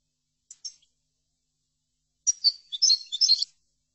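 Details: Soft paired chips from a European goldfinch, then after a gap a short burst of quick, bright twittering notes with buzzy accents, a song recording meant for training goldfinches.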